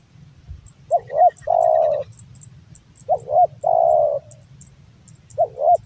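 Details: Male spotted dove repeats its song about every two and a half seconds, each phrase two sharp hooked notes and a long steady purring coo, with a faint high ticking and low hum behind.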